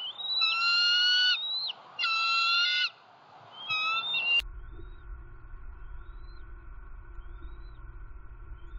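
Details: Bald eagle eaglets at a wild Southwest Florida nest on 6 February 2021, hungry after more than a day without food, amid sibling aggression before the adult male brings a roadkill rabbit; loud whistled, harmonic calls in three bursts, then low steady rumble.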